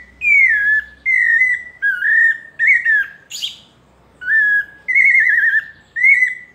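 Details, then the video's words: Melodious paulista-style song of a pale-breasted thrush, a series of clear sliding whistles with short pauses, one harsh high burst mid-sequence, faint low hum beneath. "Sabiá parda paulista canto melodioso"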